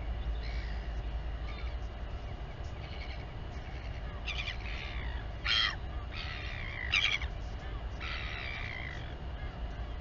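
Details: Royal albatross colony at Taiaroa Head near Dunedin, New Zealand, live camera as the mother feeds her chick; faint calls at first, then louder sharp rasping squawks and clacks in the second half, under steady wind rumble.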